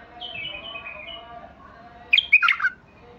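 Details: White-eared Bulbul (Basrawi bulbul) singing: soft, slurred whistled notes drift downward for over a second, then a loud, abrupt burst of bubbly, warbled notes near the end.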